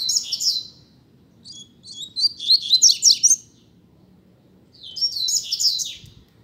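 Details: Double-collared seedeater during a singing contest: three bursts of rapid, buzzy, high twittering, the central one longest and loudest with stuttering chirps, pauses between, low hum behind.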